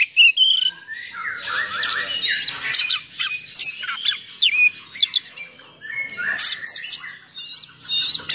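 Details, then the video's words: Oriental magpie-robin in loud, full song with harsh fillers to provoke and tutor others of its kind; an unbroken jumble of buzzy rasps, whistled slurs and sharp chips, with brief dips between phrases. "Kacer Gacor Full Nembak Isian Kasar Bikin Emosi Kacer mu"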